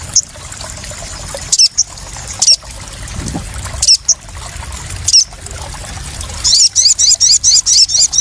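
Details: ['Crested jay calling as lure therapy for freshly caught birds, very high thin chirps spaced a second apart, then a quick run of repeated sharp upslurred notes near the end, over faint background hiss.']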